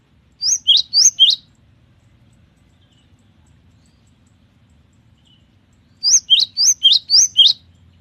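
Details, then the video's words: Cinereous tit (gelatik batu) singing in full voice ('gacor'): two short bursts of about five sharp, high, see-sawing notes each, separated by roughly five seconds of quiet with faint low background rumble. "GELATIK BATU GACOR || the melodious sound of stone sparrows"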